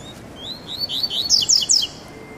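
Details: Male coleiro (Double-collared Seedeater) kept as a pet, singing during its first test: thin drawn-out whistles that accelerate into a rapid run of sharp, downslurred chirps, ending abruptly; light steady background noise.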